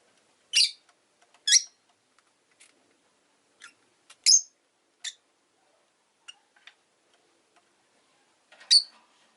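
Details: Rosy-faced lovebirds, five kept in a cage by a window on a relaxed afternoon, give sharp, high, harsh chirps in irregular bursts, about seven in nine seconds, with quiet gaps between.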